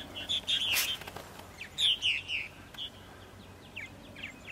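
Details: Spring morning purple martins, Center Moriches, Long Island, New York, April 14, 2012: short bursts of rich, warbled chirps in two clusters, a brief broadband rustle near the first, then softer distant notes over faint hum.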